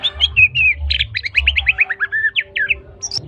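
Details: Medan white-rumped shama, a spotted trotol bird, singing; varied clear whistles and quick slurred phrases tumble rapidly, with a steady low hum and dull thumps underneath.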